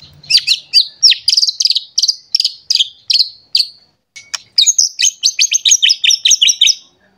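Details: Agitated white-rumped shama looking for a rival and unloading its varied song, used to provoke other shamas: a steady string of sharp, downslurred high notes, a brief break, then a quicker, denser chattering run.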